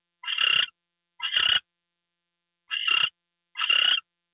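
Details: Raspy owl screeches during a nighttime gopher delivery on February 2, 2013: two hissing bursts, a pause of about a second, then two more.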